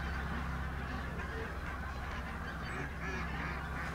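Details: Mobile flock of pink-footed geese at Martin Mere WWT Reserve, Lancashire, October 8th, 2012, bright weather. Quieter, distant-sounding wall of overlapping honks, blurred together, with a low background rumble.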